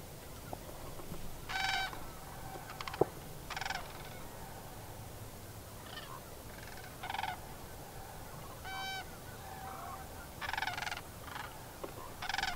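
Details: A few sandhill cranes dancing on Sauvie Island, Oregon, on the morning of 11/13/2022 give rolling, trumpeting rattles in several bursts, some overlapping from different birds, over a low steady background rumble.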